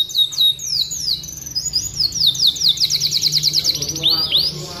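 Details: Canary performing vigorous song meant as a training model for other canaries: quick sweeping whistles give way to a long rattling trill of evenly spaced high notes, ending in a pair of rising-falling slurs.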